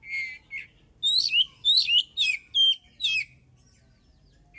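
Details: Singing oriental magpie-robin, kacer song used as a lure to start other birds singing: a short run of bright, high, upslurred and downslurred whistles in quick succession, each harsh-edged, then silence.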